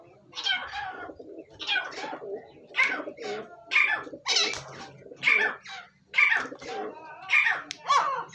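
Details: Grey francolin, known as teetar, giving a steady series of harsh, broadband calling notes about once a second, each burst loud and grating, over a faint low hum.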